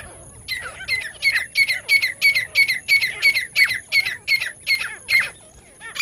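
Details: Partridge call used as a lure for catching partridges: harsh, squawking notes at a steady clip, about three per second, following each other for several seconds with a short pause near the end.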